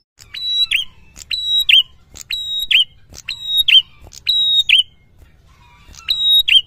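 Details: Energetic prinia song meant to trigger a quiet bird into singing: six rapid phrases, each a click, flat high whistle and buzzy dropping tail, delivered about twice per second before a brief pause.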